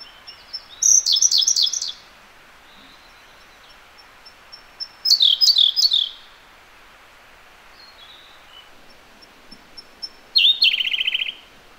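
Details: Siberian blue robin singing close by in a gorge: three loud phrases, each opening with thin high introductory notes and breaking into a fast, rattling high trill, spaced several seconds apart over quiet background.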